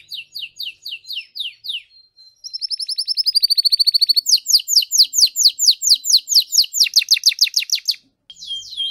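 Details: Canary song from three master singers: spaced falling notes, a long smooth rolling trill, then loud rhythmic sweeping phrases and a closing whistled note.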